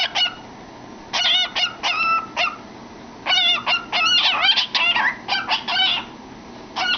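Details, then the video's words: Pet cockatiel with its head in a cardboard tube, singing and chattering: bursts of harmonic, warbling notes with quick up-and-down sweeps, grouped in short phrases separated by pauses. "Funny Bird Singing in a Tube"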